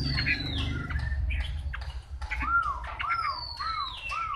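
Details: Chinese hwamei singing clear whistled notes that slide down and then rise, with a repeated short looping phrase in the second half, over a steady low rumble.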